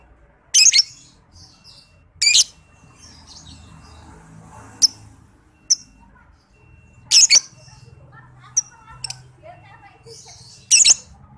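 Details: Young lovebird under five months old, in a recording used to stimulate and tutor other lovebirds. Loud, harsh, buzzy screeches come in short bursts about every two seconds, with faint softer chirps between them over a quiet background.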